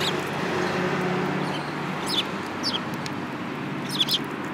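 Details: Sparrows, one with a yellow beak among them, recorded on 5 February 2018: a few short, sharp downward chirps spaced about half a second to a second apart over steady low background hum.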